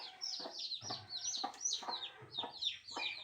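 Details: Newborn chicks giving loud, high, downward-slurred peeps, several overlapping chirps about every half second.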